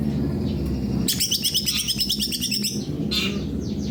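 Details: Greater green leafbird in full song: after a second of low hum, a burst of rapid, varied high chirps and trills lasting about one and a half seconds, then a short sweeping note over steady background hum.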